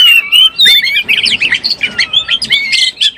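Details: Oriental magpie-robin in breeding condition, sound used as a lure: bright, rapid, varied whistles and chirps with a few long descending slurred notes, delivered without pause.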